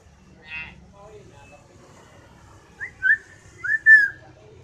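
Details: Common hill myna, loud and sharp: a short buzzy note, then a quiet stretch, then a run of four clear slurred whistles, the last two longest and loudest. A low hum sits underneath.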